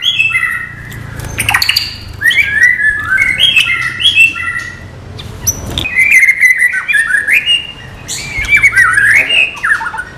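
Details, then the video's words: White-rumped shama singing murai batu 'non gelembung' isian-style material: rich, fast-changing whistled phrases mixing sliding notes, sharp chips and quick trills, in bursts with short breaks; faint low hum beneath. "MATERI BURUNG MURAI BATU NON GELEMBUNG"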